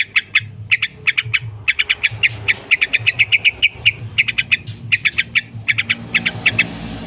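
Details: Lure recording for training yellow-vented bulbuls: long, almost continuous 'ngekek' chatter of sharp, scratchy notes in rapid trains, with a soft background hiss and low rumble.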